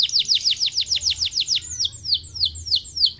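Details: Canary lure song: a quick steady series of high downslurred chirps, about eight per second, then slower spaced sweeping whistles.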